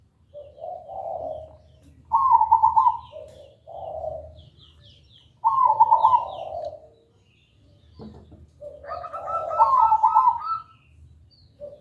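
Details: Zebra dove (perkutut) song, loud, clear and melodious, played to lure birds into singing: low coos and bright trilled phrases repeat several times, with overlapping coos and light higher chirps behind.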